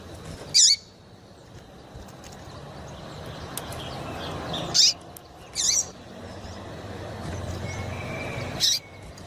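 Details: Female yellow-bellied seedeater piping to heat up males for competitions: isolated high chirps at uneven gaps of one to four seconds, with a faint thin whistle near the end, over continuous hiss.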